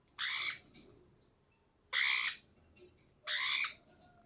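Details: Slaty-headed parakeet chick begging while a parent feeds it: three harsh, raspy squawks, each about half a second long, spaced one to two seconds apart, with a quiet background between them.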